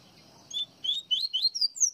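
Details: Brief Baiano-type phrase by a double-collared seedeater from Pernambuco, Brazil: six crisp, high whistled notes, each slurred, rising toward a final thin high note over soft background hiss.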